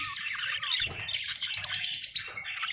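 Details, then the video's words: Happy budgerigar chirping: grating warble at first, then a quick run of about eight rhythmic high chirps. "Australian beautiful birds sound 🥰 happy budgie chirping sound 😍"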